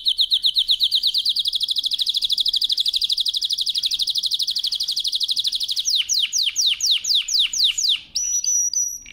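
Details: Canary song used for training, loud and powerful: a long rapid trill for six seconds, then slower downward-swept whistled notes repeated about twice a second, closing on a high steady whistle.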